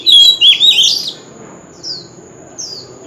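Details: Oriental magpie-robin, an old wild bird, sings loudly at a street corner. It opens with a strong, rich, warbling whistled phrase, then gives fainter, isolated high slurred notes, against a faint steady high tone.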